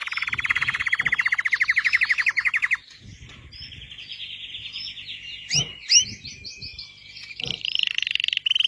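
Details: Red Belgian canary rolling out a rapid trill for nearly three seconds, a brief quieter pause with faint background noise, then high twittering and buzzy phrases.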